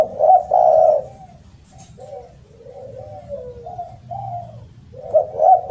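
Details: Loud spotted dove starting with a strong double coo, followed by a string of softer wavering coos and rolling notes, then another pair of bright coos at the close.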